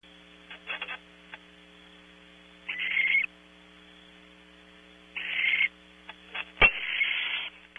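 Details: Barn owl at a nest cavity on a ranch in California, the male bringing prey before dawn: several short harsh hissing screeches separated by pauses, with a steady electrical hum underneath.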